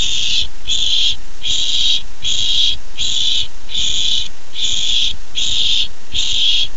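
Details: Barn owl owlet eager for its first treat on 13 July 2015, producing a steady series of eight breathy, rasping hisses, each under a second, in a fast regular rhythm over low hum.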